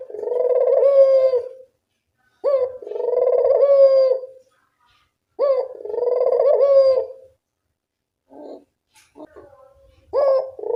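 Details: Repeated low rolling coos of a Barbary dove, three drawn-out phrases about every two and a half seconds, each starting with a sharp upward hiccup, followed by softer short notes; a training call to make a quiet dove vocal.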